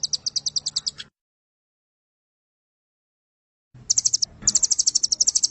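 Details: Velvet-fronted nuthatch in Indonesian masteran style, a long-firing 'nembak panjang' variation: rapid bursts of very high, sharp chirped notes about five per second, a long silent pause, then the fast trill resumes.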